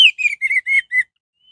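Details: Orange-headed thrush song used as a lure to stir other orange-headed thrushes into singing: five clear whistled notes in quick succession, the first highest and sliding down, the rest steady and slightly lower, then silence.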